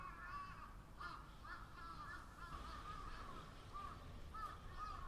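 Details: Chorus of crows with rapid, overlapping rasping caws, some short and clipped, others drawn out, above a faint low-frequency rumble.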